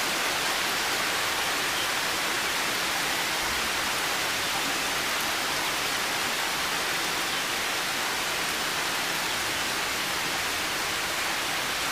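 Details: Steady broadband hiss like rain or rushing water fills the whole recording, with no animal calls standing out.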